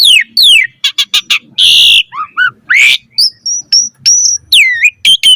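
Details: Lure song of an Asian pied starling for training other starlings: falling whistles, quick clicks, a loud harsh screech, soft low notes, then a string of high level whistles and a swooping slur.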